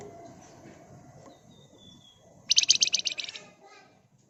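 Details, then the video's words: Energetic Flamboyan bird used as a lure to prompt other birds to reply, giving a dense, rattling burst: a loud, high, rapid trill of about a dozen buzzy notes lasting one second, after quiet background with a faint thin whistle. "Burung Flamboyan Gacor Emosi Ngebren Rapat Nyerecet Cocok buat Pancingan agar cepat Nyaut"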